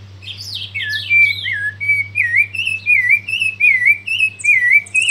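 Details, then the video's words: Hand-raised thrush (zorzal) singing while held in the hand: a run of clear whistled, wavering notes repeated roughly every half second after a few higher slurred phrases, with a steady low hum beneath. "Zorzal pichon criado ah pico cantando en mano"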